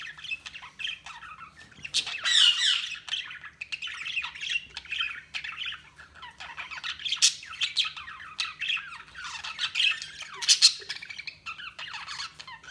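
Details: Budgerigar chatter with buzzy squawks and quick twitters, louder harsh calls standing out now and then from the steady high warbling.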